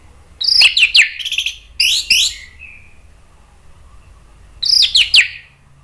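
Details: Agitated orange-headed thrush song meant to provoke other birds to sing: two dense bursts of sharp, scratchy descending notes, a pause, then another burst; quiet hum underneath.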